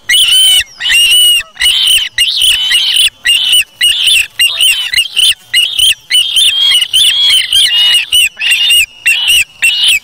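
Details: Osprey chick at the Charlo nest on August 3, 2017, taking a fish from its parent and feeding itself; loud, high whistled squeals with rising and falling notes, repeated rapidly in uneven bursts, nearly nonstop.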